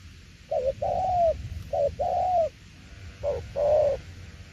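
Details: Spotted dove cooing in 'tiểu liên nước' style. Three two-note phrases, each a clipped lead note and a drawn-out, gently arched coo, come at uneven intervals over quiet low-frequency background noise.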